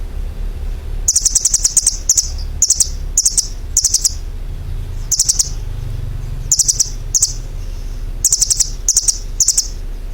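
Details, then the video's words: Songbird chirping in short bursts of very high, sharp clicking notes, each burst of three to six rapid pips, repeated irregularly over a low steady background hum. "suara burung berkicau"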